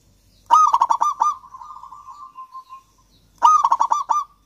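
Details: A local Javan zebra dove (Geopelia striata) singing, cooing twice: a bright opening note, a quick run of clipped coos, then a soft rolling trill that fades out; no other sounds.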